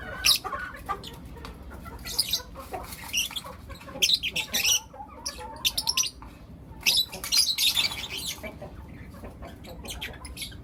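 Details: Morning chatter from four young lutino lovebirds: rapid runs of shrill, raspy chirps in groups, with a few thinner squeaky notes between the louder bursts and short pauses.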